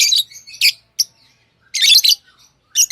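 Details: Tamed lovebirds kept as pets chirping: rapid, scratchy, high squeaks and a dense, buzzy burst in the middle, ending with another sharp chirp, with little background noise.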